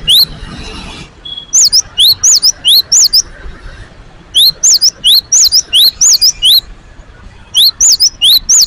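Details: Great tit, freshly hung in its cage, singing eagerly: a brief rustle opens, then runs of rising whistled double notes, about six per burst, come in three bouts with brief silences between.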